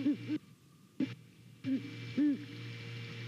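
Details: Great Horned Owls, a pair at a Savannah nest on a November 2019 morning, hoot to each other on a nest camera. A few short, low hoots are heard one at a time, with quiet, clipped gaps between them.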